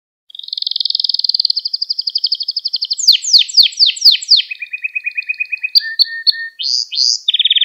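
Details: Canary singing a lesson song for young canaries: a long, even rolling trill, then loud sweeping downslurred notes about four per second, a lower trill, and short rising whistles, with no other sounds.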